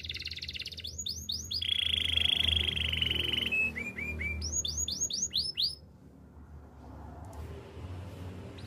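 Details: Spanish Timbrado canary song used for training young singers: rapid down-slurred whistled notes in quick series, a long steady buzzing roll, then short clipped notes and more sweeping slurs, ending in a softer faint trill.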